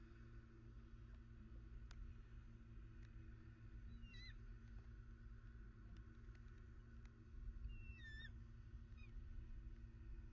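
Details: Southwest Florida bald eagles recorded 21 December 2019. Two brief clusters of thin, high, wavering chirps come about four seconds apart, half-buried under a constant low rumble and drone.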